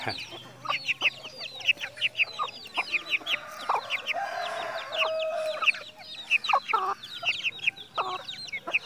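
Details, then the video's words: Farmed red junglefowl in a breeding enclosure at Mukomuko, Bengkulu, clucking and calling amid a dense chorus of high, rapid chirps from many small birds or chicks, with a few longer mid-pitched notes. "AYAM HUTAN MERAH"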